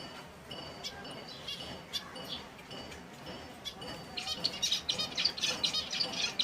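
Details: Chorus of several finch species: scattered high chirps and tweets at first, then a dense run of quick, sharp, repeated high notes and short trills in the last two seconds, with a faint background hiss.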